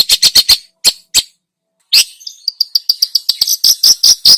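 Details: Long-tailed shrike, recorded as a lure to excite other birds, opens with rapid rasping notes, pauses, then shifts to a quick series of thinner, higher chirps and clicks suggesting mimicked phrases, accelerating toward the end.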